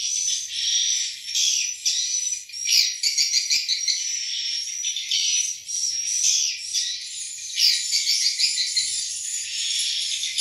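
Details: Swiftlets in a nesting house in breeding season, nests full of eggs and young; an overlapping mass of high, buzzy chirps that swells into louder bursts every few seconds.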